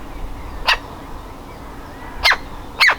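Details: A woodpecker nestling, desperate to leave the nest, utters three harsh, hoarse squawks: one, then a long pause, then two close together, with low constant background noise.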